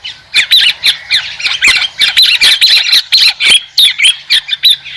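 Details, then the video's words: White-crested laughingthrush song as a dense run of harsh, cackling squawks, pulsing several times a second over five seconds, with no other sounds. "TIẾNG CHIM HÉC SOAN-CHIM ĐẦU TRẮNG"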